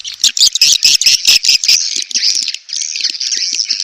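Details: Edible-nest swiftlets giving a mating call: a burst of sharp rhythmic clicks with bright chirps, followed by steady buzzy twittering and faint low ticks.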